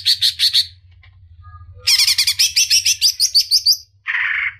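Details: Female greater green leafbird calling to the male: a short burst of rapid ringing notes, a near-silent pause, then a longer fast series of sharp, rising chips. It ends in a lower, harsh buzzy burst.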